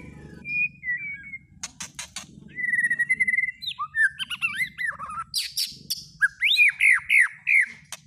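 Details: White-rumped shama song used as a lure to trigger singing: one long flat whistle, sharp ticking notes, a level whistled phrase, then rising and falling warbles ending in rapid looping whistles, over a soft low hum.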